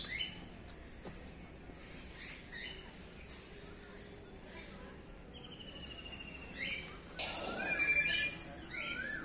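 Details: Common hill myna in Jamshedpur Zoo after lockdown, a speech mimic, giving scattered short chirps, a level whistle and sharp descending notes, with a constant high cricket-like drone behind.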